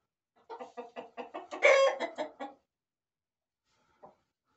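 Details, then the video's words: Hens and roosters kept in a corral give a run of about ten rhythmic clucks with one loud drawn-out squawk in the middle, then quiet with one faint cluck near the end. "Gallos y Gallinas"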